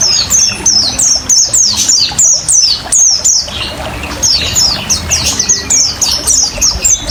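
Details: Ngriwik ngalas song of an oriental white-eye for luring caged birds: crisp, high, falling whistles repeated roughly three times per second, briefly pausing then resuming, backed by running water.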